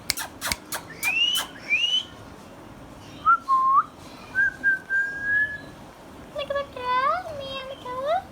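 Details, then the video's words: Pet green Indian ringneck parrot, hand tame: rapid clicks, two rising whistled swoops, a short bent note and a long flat whistle, then a string of wavering, nasal, harmonic chatter notes repeated about twice a second. "Green Ringneck Parrot sounds"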